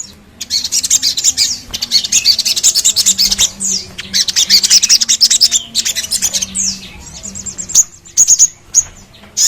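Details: Crimson sunbird (sogon) song for stimulating singing: dense, rapid high chirps and twittering trills, sweeping notes near continuous, with brief pauses near the end; a steady low hum runs underneath.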